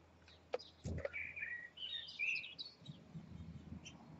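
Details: Robins feeding their five three-day-old chicks, recorded 2 May 2020; thin high chirps and squeaky twittering notes cluster over a few seconds, with some low rustling and a faint hum beneath.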